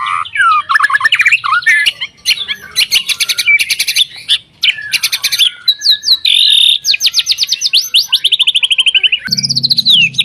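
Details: White-rumped shama in rich song, played to push other shamas into singing: descending slurred whistles, dense buzzy rattles, a shrill sustained note, a long rapid trill falling slightly, and sweeping whistled ends.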